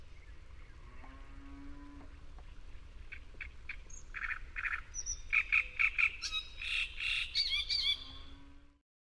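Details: Great reed warbler singing in Córdoba: harsh, croaking notes repeated in quick runs, broken by a few clear whistled notes. The phrases build louder and busier toward the end over a steady low background rumble.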